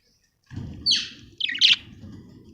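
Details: Budgerigars at home give two short, harsh squawks, the first sliding downward and the second a scratchy double note, over steady low background noise.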